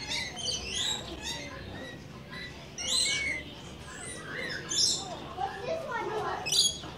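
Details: Visiting rainbow lorikeets make scratchy, high chirps and short squawks at irregular intervals, mixed with softer warbling chatter and faint voices in the background.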